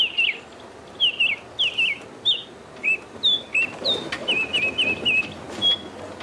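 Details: Phone playback of a bearded scrub robin, a bird that mimics other birds, giving its subtle, lilting call: crisp, high, warbled whistles, some twisting down, repeated in steady bursts about every half second.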